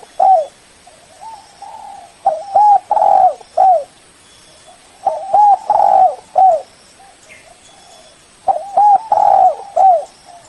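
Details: Lure call of a spotted dove meant to call in a rival: three strong phrases, each a run of short cooing notes and a longer drawn coo, spaced about three seconds apart, with faint cooing between.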